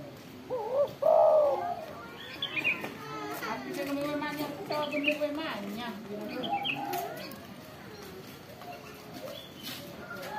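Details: A loud-voiced spotted dove (tekukur) gives low, hollow coos at the start, then softer, lower cooing phrases continue beneath a busy chorus of higher chirping birds.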